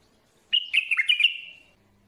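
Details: Bulbul singing one clean, loud phrase of fast gurgling, slurred notes lasting just over a second, ending in a drawn-out fading whistle, in quiet surroundings.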